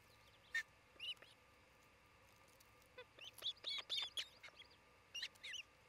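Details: Nest-cam recording of an osprey at its Montana nest in Charlo, 27 June 2018, late morning: an isolated high chirp, then after a quiet gap a fast cluster of shrill whistled cheeps and a closing pair of slurred calls.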